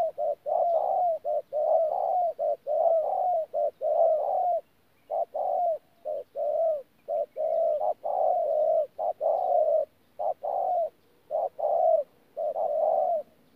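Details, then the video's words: Decoy spotted dove, caged, Tumorong, 14 January 2019, mixing thổ and gù coo styles in a long run of mellow, hollow notes, short ones paired with longer level ones, broken by a brief pause near the middle before the series resumes. "BỔI THỔ PHA GÙ QUÁ TỐT"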